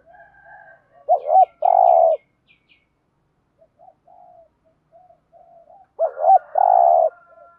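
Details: Spotted dove lure call of the thúc gù style, used to stir up other doves: two loud cooing phrases about five seconds apart, each a short note, a longer purring coo and a falling coo, with faint soft coos between.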